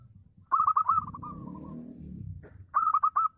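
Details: Local zebra dove singing prolifically to draw out rival doves: a fast burst of rolled coos fading into a long soft trailing series, then another quick four-note burst, with a low rumble underneath.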